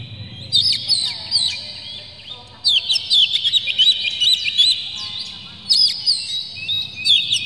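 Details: Emotional, tail-spreading oriental magpie-robin (kacer) pouring out rich mimicry-filled song meant to stir other magpie-robins into singing: bursts of quick chirps and slurred whistles, a brief lull near the middle, then dense warbling phrases resume.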